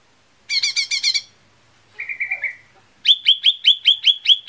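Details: Lesser green leafbird lure song to make birds sing: rapid buzzy notes, then a low flat trill, then a quick series of bright upswept chirps.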